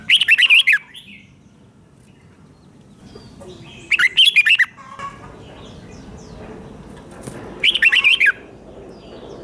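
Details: Red-whiskered bulbul song meant to make caged birds lively: three brisk phrases of slurred, chattering whistles repeated roughly every four seconds, with soft background calls between them.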